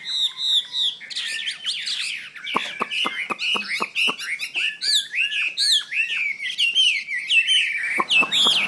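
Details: Chinese hwamei, labelled 'hoa mi xoe' in Vietnamese, singing a rapid, dense run of varied whistled notes that swoop up and down, with sharp dry clicks scattered through the phrase and no pause across the whole stretch.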